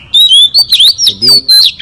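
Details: An oriental magpie-robin near a residential area in Southeast Asia sings a rapid run of clear, varied whistles, some sweeping up and down, in about five quick bursts with no other sounds.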